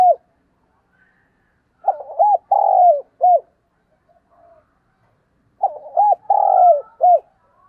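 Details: Decoy spotted dove cooing in the morning, two full phrases about four seconds apart, each of two quick soft coos, a long sliding coo and a clipped closing note, against silence.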